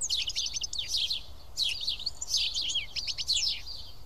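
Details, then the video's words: A group of house sparrows eating together at Karyotissa, Greece, produces loud, dense chatter of overlapping high chirps and twitters with hardly any pause. "Σπουργίτια (ήχος και εικόνα)"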